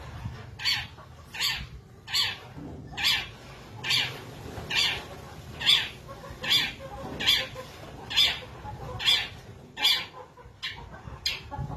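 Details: Caged long-tailed shrike singing as soon as its cage cover is opened, delivering long phrases: harsh, rasping notes repeated roughly every 0.8 seconds in a steady series over low background hum.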